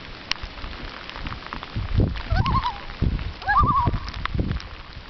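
A loon gives two short, quavering calls, each a rapid warbling wobble in mid pitch, about a second apart, over a steady low rumble like rain or wind.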